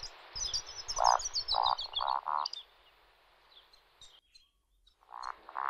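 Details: Male Eurasian woodcock roding in its courtship flight at dusk in spring: soft, frog-like croaking grunts about every half second, thin high squeaky notes above, a short pause, then more grunts.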